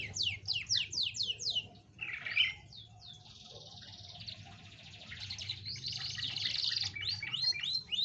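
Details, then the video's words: Canary song played to coax a lazy canary into singing: fast series of downswept whistled notes, then a short buzzy burst and a long rolling trill that rises into quick repeated chirps, with a low hum beneath. "pancingan kenari malas bunyi"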